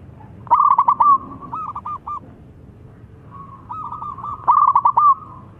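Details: Two loud phrases from a local zebra dove, played as a lure so quiet doves begin singing: each opens with rapid clipped coos and ends in a longer note, with a softer, steadier cooing phrase between them.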